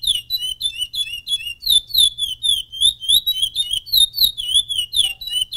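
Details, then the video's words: A champion chestnut-bellied seed finch sings a rich, continuous run of clear whistled notes, sliding up and down in quick succession, with a faint low indoor rumble beneath. "CURIÓ DOS SONHOS | CANTO DO CAMPEÃO"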